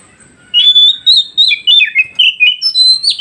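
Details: Oriental magpie-robin song played to make newly caught wild birds answer: loud, rich whistled phrases that start high and steady, then tumble through quick up-and-down slurred notes in a continuous, varied stream.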